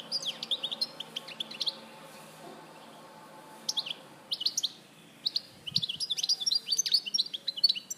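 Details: European goldfinch recorded at Larache, 2014, singing twittering phrases separated by quiet gaps, ending in a long run of fast liquid chirps and trills.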